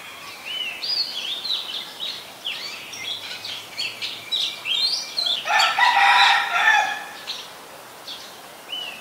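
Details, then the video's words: Oriental magpie-robin, a very common resident, singing in Ubon Ratchathani, Thailand, on 3 February 2023, recorded with a Nikon P1000: varied clear whistled phrases, rising and falling, with a loud harsh harmonic call breaking in midway before the whistles resume. "นกกางเขนบ้าน Oriental Magpie Robin (singing)"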